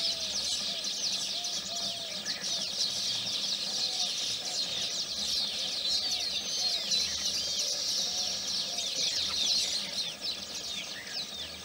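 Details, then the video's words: In the morning around their nests in Udaipur, Rajasthan, India, baya weavers keep up a dense, high chatter of buzzy, wheezy chirps and trills, many birds calling over one another, with a few lower calls beneath. "The Ambience Around the Baya Weavers Nest"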